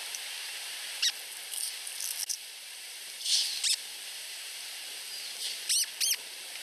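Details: Two week-old osprey chicks at a Finnish nest competing to be fed by the mother: repeated high, strained squeals with layered overtones, some in rapid doubles near the end, about two dozen a minute, with steady hiss throughout.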